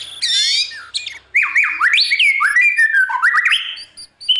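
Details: White-rumped shama singing in the morning to train a young bird for competitive singing: a high rasping burst followed by a flowing series of loud slurred whistles rising and falling, ending in a short high note.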